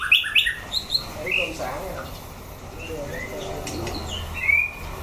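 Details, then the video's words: White-rumped shama, a caged fighting bird under a fighting test: a few bright whistled notes in the first second, then quieter chirps beneath a man talking and a low hum. "shama bird singing"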